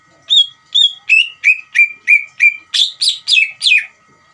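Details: Greater green leafbird song aimed at provoking another leafbird to respond: eleven loud whistled notes about every third of a second, the early ones falling, the last four higher, broader and more strident.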